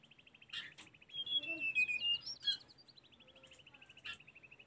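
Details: Song of a Sunda robin, recorded for training caged birds: a steady run of quick repeated high notes with a sweet, warbled whistle phrase dipping and rising in the middle.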